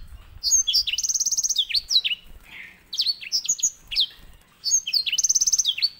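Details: White-rumped seedeater used as a canary master singer. It delivers lively high phrases of rapid buzzy trills and downward-slurred whistles, repeated in three bursts with brief gaps.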